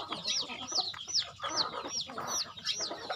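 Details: At a home farm feeding, chickens give high, thin, descending peeps spaced evenly about three times a second, over low mixed chatter.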